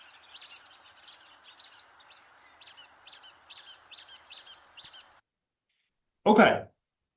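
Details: A Brown-headed Nuthatch in a Kentucky forest gives its main call: quick, squeaky dog-toy notes in twos ("we do") and threes ("potato"), about twice a second for five seconds. A short burst of a person's voice follows.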